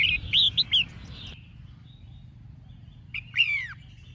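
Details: A female red-whiskered bulbul singing to stimulate males to sing gives a quick run of three or four bright, bubbly whistled notes, then a short warbled phrase after a pause, over a low background hum.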